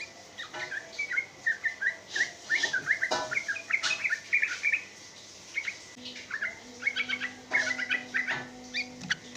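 A sooty-headed bulbul sings busy runs of bubbly, chirping notes in quick bursts, pausing briefly between phrases, over a faint steady hum.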